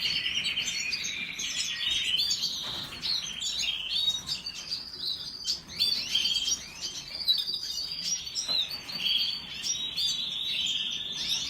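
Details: Canary singing, recorded on 1 April 2021: continuous high, rapid twittering and rolling trills with chirps, over steady background hiss.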